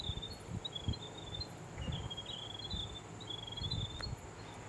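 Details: Grey warblers (Gerygone igata) surrounding a New Zealand falcon perched in a beech tree plucking a caught sparrow give thin, high, wavering warning notes in quick repeated bursts, with low rumbling wind and thumps beneath.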